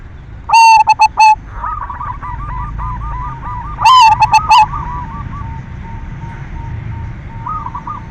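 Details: Silver zebra dove singing a lure song meant to stimulate other doves to sing: loud, stuttering, ringing coo phrases at the start and near four seconds, with softer rapid cooing trills from other doves between them.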